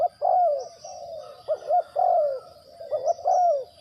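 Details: Spotted dove (tekukur, cu gáy) serving as a trapping decoy; rolling low coos in grouped phrases, each ending in a longer slurred note, repeated three times with a faint high hum behind.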